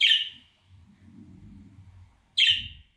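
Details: Budgerigar contact call meant to lure an escaped pet bird back home: two short, harsh, buzzy chirps about two seconds apart, with a soft low rumble between them.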